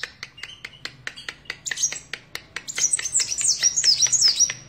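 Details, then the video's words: Sunbird known as kolibri wulung or kaca: regular sharp clicks at first, then a hurried stream of very high, thin, trilling and squeaky notes in the second half. "Burung Kolibri Wulung / Kaca Gacor"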